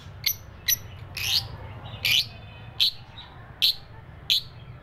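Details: Lovebird calling: short sharp high chirps repeated at irregular intervals, about seven in five seconds, over a low steady hum.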